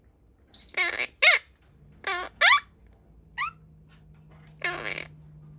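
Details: Pastel blue monk parakeet, a pet parrot, imitating Japanese speech: short raspy, harmonic syllables in bursts with a pause, a few soft chirps, then a final grating phrase over a faint low hum indoors.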